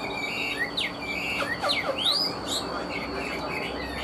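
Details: Cage-kept Chinese hwamei giving quick, steep whistled slurs, some rising sharply and others dropping, mixed with softer warbled notes and a faint constant hum.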